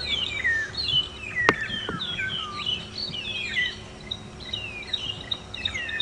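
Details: Several magpie shrikes call noisily in the morning near a waterhole at Djuma Game Reserve, 21 September 2015, filling the air with overlapping whistles that slide and flute between mid and high pitch, with a couple of sharp clicks.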